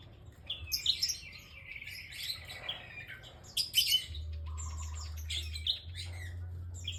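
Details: Bar-winged prinia singing actively: bursts of sharp high chirps and trills between short pauses, with a lower sweeping whistle and a steady low hum underneath.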